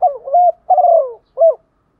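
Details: Female spotted dove in the morning, calling males: one full phrase of soft, low cooing, two quick notes, then a longer sliding coo dropping in pitch, and after a short pause a single clipped closing note. Quiet background.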